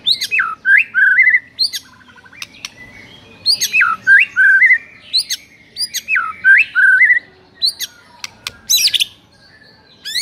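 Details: White-rumped shama singing in the morning, a master recording to provoke rival birds: sharp upward flicks each followed by short falling whistles, repeated in phrases about every second, with a buzzy burst near the end.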